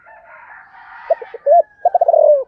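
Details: Spotted dove, 'thổ' voice type, calling wild doves in the morning, gives three quick soft notes, a rounded coo and a rapid rolling series that drops in pitch, over steady twittering of other birds.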